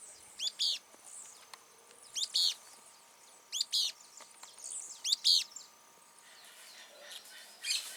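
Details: A Firewood-gatherer, heard but not seen during a walk, sings short, high chattering bursts about every one and a half seconds, each a quick stuttering series of sharp notes, over faint insect hum.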